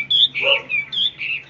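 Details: Ôm cóng song from a fully tame hwamei: a string of bright, slurred whistles, loud and sweet, repeated about every quarter second, with a faint hum behind.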